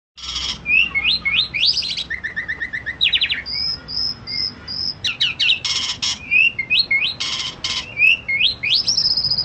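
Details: A captive-bred Asian pied starling (Sturnus contra jalla) from Indonesia sings an energetic, varied jumble of clicks, buzzy rattles, sharp whistles and rising squeaky notes, mostly high-pitched, with no other clear sounds.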